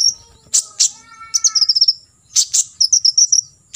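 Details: Olive-backed sunbird singing the full 'tembakan isian' song for other sunbirds to learn: explosive high chips alternating with fast strings of thin, sibilant notes.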